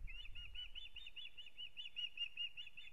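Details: Nesting osprey in Kurzeme, Latvia, early in the breeding season, 9 April 2022: an even string of around sixteen clear, piping whistles in three seconds, each note short and slightly arched, over soft low background noise.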